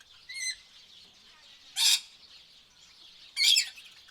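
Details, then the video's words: Tropical birds in a peaceful setting: a short high harmonic chirp, then two loud harsh broadband squawks about 1.6 seconds apart over a steady high insect-like hiss. "tropical bird sounds"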